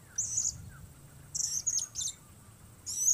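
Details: Blue-crowned hanging parrot calling solo in bird-trapping lure use, giving high, thin, shrill chirps in short bursts, one pair of notes near the middle and another at the end, over faint low rumble.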